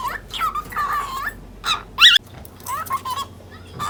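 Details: Angry ten-month-old lutino cockatiel chattering with clipped, speech-like syllables and a sharp squawk in the middle, cutting in with throat-clearing sounds while scolding a budgie that pursues it across the cage.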